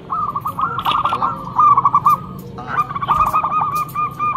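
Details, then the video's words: Local zebra dove with a loud, lure-quality voice: two quick trilled series of clipped coos, the second rising slightly at its start, with a brief higher chirp from another bird and steady low background noise. "Perkutut lokal gacor mental bagus suara NYARING pikat super"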